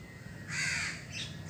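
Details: A crow eating cooked food and grains gives a single harsh, hoarse caw lasting about half a second, over a faint low background rumble.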